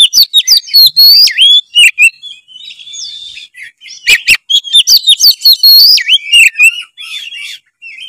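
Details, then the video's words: Energetic white-rumped shama in full song, played to set other shamas singing; rich looping whistles mixed with sharp clicks and harsh buzzy notes, tumbling in rapid, varied sequences. "siulan kacer gacor pancingan kacer susah on dijamin langsung on kalau denger suara kacer satu ini"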